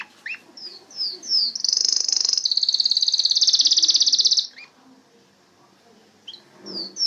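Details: Canary song: a few short downslurred whistles lead into a loud, fast, high trill lasting about three seconds, a quiet pause, then more slurred whistles.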